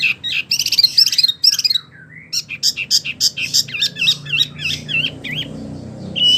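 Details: Wambi singing, recorded to train oriental magpie-robins and other birds. Dense high chattering and sharp chips lead to a run of repeated wavy, warbled whistles. A final clear note ends the phrase.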